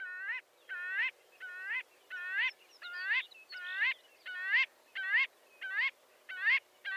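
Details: Rhythmic marbled godwit calling: a dozen nasal, rising notes repeated at an even pace of about one every 0.6 seconds, with faint background hiss.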